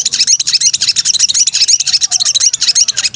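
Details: Sooty-headed bulbul female in breeding condition calling for a male: a fast, shrill, unbroken twitter of sharp notes, around three a second, bright and high throughout.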